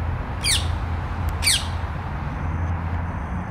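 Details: Feral rose-ringed parakeet in a park in Germany, where escaped pets now number thousands, gives two harsh, screechy rasping calls about a second apart over a steady low rumble of traffic.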